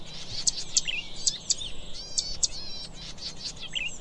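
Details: Zitting cisticola uttering bright, sharp zip-like clicks in pairs at a steady pace, with softer rippling high twitters from surrounding birds filling the gaps.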